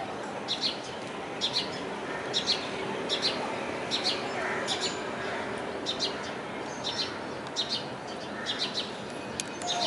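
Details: At Kalwa, Thane, Maharashtra, India, a common tailorbird (Orthotomus sutarius) gives sharp, high, insistent notes, repeated roughly once a second in short bursts, over a steady background hiss.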